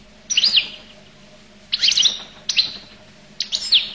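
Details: Goldfinch from Collo singing loud, bright phrases of quick looping chirps and sliding twitters, four bursts within a few seconds, over a faint steady hum.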